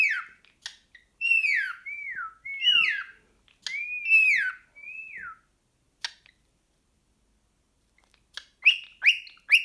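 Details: Indoor cockatiel excited by a sock, uttering a quick series of short downward-sliding whistles in the first half, then quiet clicks and a few sharp chirps near the end.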